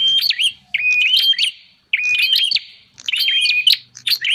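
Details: Lure recording of bar-winged prinia for attracting wild birds: three or four choppy phrases of sharp chirps and a level whistled note, roughly one phrase per second, with a weak low drone.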